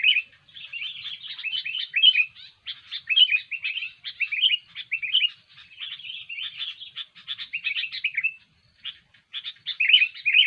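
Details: Lively sooty-headed bulbul song used as a lure for bird trapping. Busy phrases of rasping chatter and lilting, bubbly warbles repeat one after another, with brief silences between some runs.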